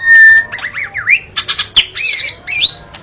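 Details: White-rumped shama song: a long steady whistle, then rising and falling slurred whistles, sharp clicks and squawky notes, ending in a rapid jumble of high twisting phrases.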